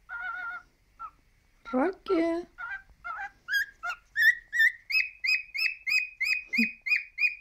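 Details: A three-year-old male pet cockatiel gives a few wavering, speech-like warbles, then settles into a steady run of short whistled chirps, about three per second, each with a sharp upward flick.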